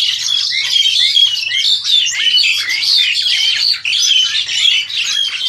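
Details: Captive-bred Crested Myna about seven to eight months old, ready for a breeding cage in Indonesia, recorded on an old Samsung phone: dense, continuous high chattering with squeaky whistled notes and short rising chirps, no pauses.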